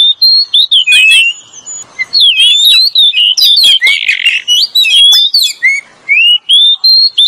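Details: Oriental magpie-robin, male and female, used as a lure call; loud varied whistled phrases with rapid rising and falling notes, mixed harsh buzzy bursts and sharp chirps, continuous with brief gaps.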